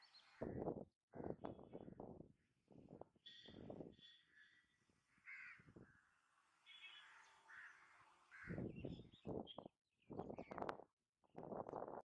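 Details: Grey-headed swamphen, also called purple moorhen, in India: loud, harsh, nasal cackling bursts in rapid series at the start and end, with quieter, higher squeaky notes in between.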